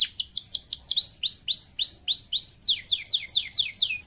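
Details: Canary in lively 'gacor full isian' song style: rapid series of high, down-slurred whistled notes, then a steady run of repeated sharper notes, ending in fast sweeping trills, about four notes per second, over a quiet background.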